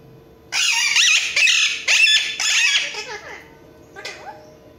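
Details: Alexandrine parakeet in front of a mirror giving a run of loud, harsh, wavering screeches about twice a second for two seconds, trailing off into softer chatter and one brief final note.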